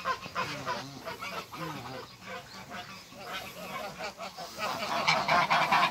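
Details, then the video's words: A pair of African geese meeting, giving loud nasal honks in quick, overlapping series, several per second, with rising and falling pitch; hiss-like background noise grows toward the end. "MEETING COUPLE AFRICAN GEESE"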